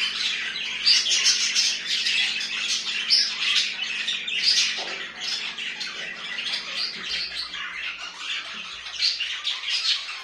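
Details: Home-kept budgerigars keep up a long, rapid chatter of scratchy chirps and squawks at about two to three bursts per second, over a quiet background hum.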